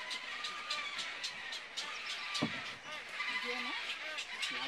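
Egret chicks keep up a harsh, rapid ticking and chattering, many calling at once, while a human voice murmurs underneath.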